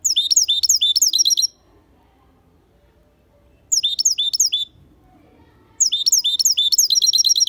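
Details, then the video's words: Goldfinch × canary hybrid (mixto) sings three bursts of rapid, high twittering phrases with trills, separated by short pauses; quiet background. "Mixto Jilguero Cantando Limpio 🔥Hybrid de Chardonneret et Canari"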